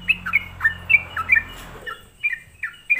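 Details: Sooty-headed bulbul song played as a lure to provoke other bulbuls: bubbly, liquid downslurred notes in quick phrases, a short pause, then more phrases over a low hum.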